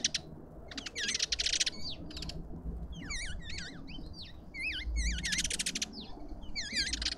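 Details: A group of lovebirds in a suburban garden in Pretoria, South Africa, at a feeder. Harsh screechy bursts give way to a run of squeaky, zigzagging whistled chirps from several birds.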